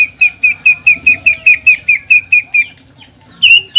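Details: Rival-provoking song of a greater green leafbird: a steady run of short clipped whistles, about four per second, a brief pause, then a louder note begins again; faint low background hum.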